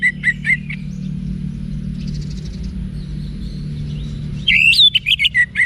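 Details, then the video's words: Orange-headed thrush, played as a training song for caged birds, Bali, Indonesia: a few whistled notes, a quiet gap, then a loud burst of quick, varied, slurred whistles near the end over low steady hum. "ANIS MERAH Manapun Bakal Nyaut Berani Untuk Figther Saat Didengarkan Kicauan Wiksar Ini"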